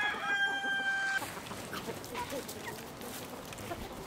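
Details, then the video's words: Village chicken crow ending in a held, even tone for just over a second, cut off abruptly, followed by quiet scattered clucking and background hiss. "Dinlendirici Tavuk Sesleri Doğal"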